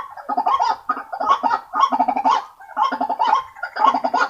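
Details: Croaking White-breasted waterhen used as a lure for waterhens: grouped, harsh, nasal notes in quick clusters of three or four, each cluster separated by a brief pause.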